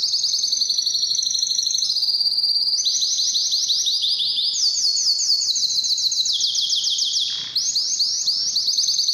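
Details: Canary singing meant to excite males and females for breeding: long, rapid, high trills held at steady pitch, stepping up and down between sections, with a brief pause near the end before rolling on.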